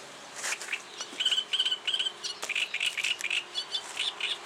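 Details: Reed warbler singing its advertising song: a jerky run of short chirping and scratchy notes, some repeated in quick pairs and triplets, with brief clicking sounds between phrases.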